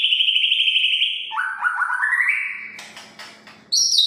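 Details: White-rumped shama song used to provoke other shamas into singing: a long rapid trilled phrase, then a lower warbling rattle rising in pitch, scratchy notes and a sharp high ending.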